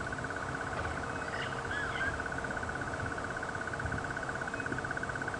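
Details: A distant, unseen Crested Barbet at Djuma Game Reserve on an afternoon drive under a stormy sky on 23 September 2015 gives a long, even trill of rapid notes at one steady mid pitch, with a few faint bird notes and a low rumble behind.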